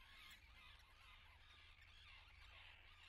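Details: Common terns nesting at Atlit, 10 June 2010, keep up a thick chorus of scratchy, overlapping calls with a constant low rumble underneath.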